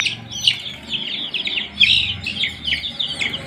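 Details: Young domestic chicks in a brooding setup with heat; scattered high peeps and short chirps from several chicks, with a low hum underneath.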